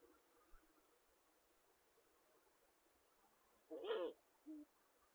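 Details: Eurasian eagle-owls courting in the 2022/2023 season, with a new male that arrived in autumn and courtship starting unusually early: one short, rough, harmonic call, then a brief low note, against faint background hiss.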